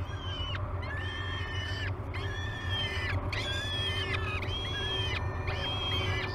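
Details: Peregrine falcon chicks at Great Spirit Bluff on 22 May 2020, waking for breakfast at the nest. Repeated harsh, rasping, harmonic-rich calls of about half a second each, five in a row with short gaps, over a steady low rumble.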